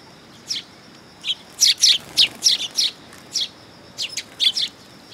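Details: Sparrows arriving on a raised platform at a Tenmangu shrine, 3 September 2022, give short, bright chirps, about a dozen in irregular clusters across five seconds over a faint steady high background hum.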